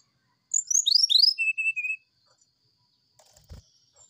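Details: Oriental magpie-robin singing in the morning in the 'sulingan' style, a flute-like master song for training birds: a quick run of high, sliding whistled notes that sweep downward, then three steadier level whistles, followed by faint clicks and a low thump.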